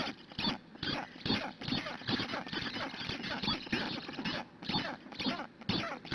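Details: Begging black stork chicks in a Hungarian nest on a June 2017 morning, calling until a parent comes to feed. A near-continuous wheezy, rasping chatter of fast pulses swells and fades without pause.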